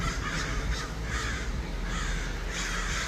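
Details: Many crows in Los Angeles cawing together as a dense, overlapping chorus of hoarse caws above a steady low rumble of background noise.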